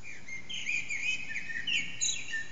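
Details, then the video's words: Around 4:30am an unseen Eurasian blackbird sings in an echoing backyard, captured with an HTC Desire: a steady run of rich, flowing whistles interlaced with high, scratchy chirps. "Blackbird's morning song, part 1"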